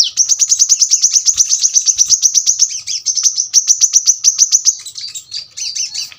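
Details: Caged brown-throated sunbird delivering a long, dense rapid-fire trill of high, sharp piercing notes for nearly five seconds, ending in a scratchy warble.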